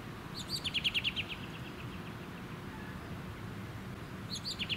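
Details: American robin, Turdus migratorius, recorded in June 2019 at Ludington, Michigan, USA: two brief bursts of rapid, sharp, high-pitched repeated notes, one near the start and one at the end, with wind and suburban background noise between.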